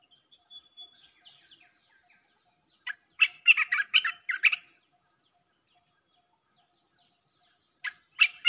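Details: Red-whiskered bulbul singing continuously, in a recording meant to attract wild birds: faint high notes, then a loud cluster of quick, chattering whistles, and another burst starting near the end.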